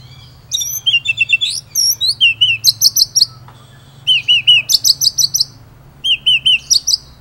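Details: Shama (murai) from Indonesia singing vigorously as tutor material: varied groups of quick, curling, slurred whistles, each phrase of four to six notes, separated by short pauses.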